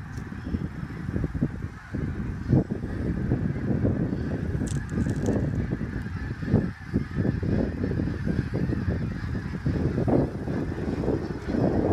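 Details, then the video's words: A large flock of snow geese migrating at sunset at Middle Creek Wildlife. Overlapping honks and yelps form a steady, noisy chorus with brief louder bursts and a low, rumbling undertone. "Snow geese"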